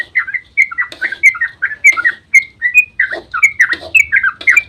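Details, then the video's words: Dawn ropel of a yellow-vented bulbul, a lure to set other bulbuls singing; loud, evenly spaced liquid warbles and slurred whistles with occasional sharp high ticks. "trucukan GACOR ROPEL SUBUH PANJANG buat pancingan trucuk agar cepat bunyi"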